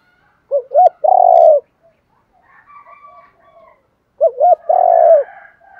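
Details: Decoy spotted dove, kept to lure and train other doves, giving a low cooing phrase twice: a short note, a quick double coo, then a long rolling coo. Faint soft calls fill the gap between phrases.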